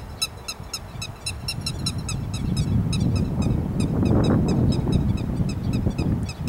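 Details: Grey-headed lapwing over rice paddies, recorded 13 May 2021, calling continuously with strident, clipped notes repeated roughly three times per second, while a loud low rumble builds underneath.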